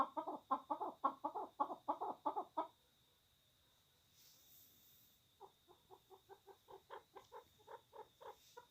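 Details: A fighting pet chukar partridge gives a fast burst of loud, harsh clucks, falls silent, then resumes with quieter, evenly spaced chuk notes that build again. A faint high hum runs throughout.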